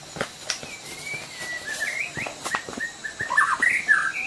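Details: Sumatran white-rumped shama recorded in natural surroundings, singing a soft run of whistled, slurred notes that grows into a richer warble toward the end, amid clicking sounds and a faint steady high hiss.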